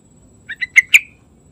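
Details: Yellow-vented bulbul singing energetically in the morning: a short phrase of four bubbly, liquid notes, the last two loudest and ending in a brief trailing whistle, over a quiet background.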